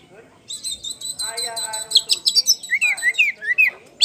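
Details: Oriental magpie-robin (kacer poci), a champion bird singing in the open, continuous ngeplong style as a lure track. A run of rapid high chips, about 150 per minute, gives way to loud, rising whistled slurs repeated near the end.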